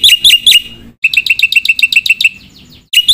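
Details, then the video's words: Black-winged myna singing with a full repertoire, loud and insistent: clear whistled notes with sharp bends, a fast run of about a dozen repeated chirps, then more looping whistles after a short pause. "jalak putih gacor suara full isian"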